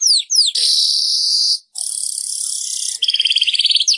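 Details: Weaver song meant to stimulate caged birds that stopped singing: two quick falling whistles open into long grating buzzes, then a rapid tinkling rattle of short notes.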